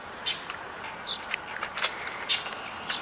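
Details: An apparently agitated Northern Mockingbird at Alviso Adobe Park, California, gives harsh, raspy squawks, about six in three seconds, with a few thin high chirps between them.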